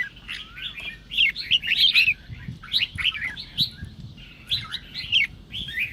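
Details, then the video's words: Red-whiskered bulbul song aimed at triggering other birds, with scattered loud chattering bursts, a rising slurred whistle near the start, and a quiet stretch around four seconds. "Chào Mào Kình Kích Chim Bạn Dễ Ché. Âm Thanh Kích Chào Mào Ché"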